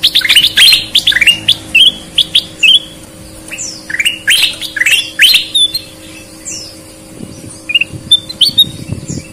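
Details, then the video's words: Sooty-headed bulbul in full, lively song, a red-eyed and a white-eyed bird compared: rapid bursts of bright, whistled and chirping notes, some sliding upward, in quick irregular runs, with quieter scattered twitters and a low steady hum beneath. "Burung kutilang gacor mata merah vs mata putih"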